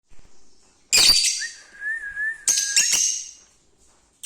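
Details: Lovebirds singing: two bursts of shrill, harsh chirps, the second broken into rapid squeaks, with a long, steady, slightly wavering whistled note held between them.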